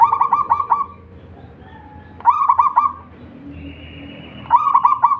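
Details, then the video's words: Local wild zebra dove (perkutut lokal) singing, kept to lure other doves into song: three soft cooing phrases about two seconds apart, each a quick stuttered burst of notes running into a sustained tone. Low background hum. "perkutut lokal gacor / suara merbok suara perkutut merdu"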